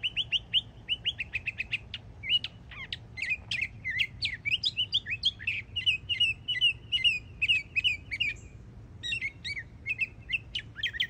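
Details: Young Northern Mockingbird in Florida singing energetically: fast varied phrases of sharp clicks, buzzy notes and whistled chirps, each phrase repeated several times before switching, packed densely over eleven seconds with a faint low hum beneath.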